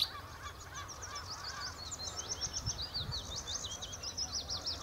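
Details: Nightingale song from the Horsmeertjes, Texel: a continuous run of rapid, sharply repeated high notes and chirps, moderately loud against faint low background rumble.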